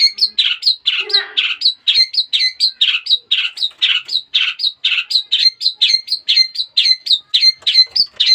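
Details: Long-tailed shrike, a young captive bird taken as a chick months earlier and just starting to sing, giving a long steady stream of sharp chattering notes, about two per second, with harsh buzzy notes early on.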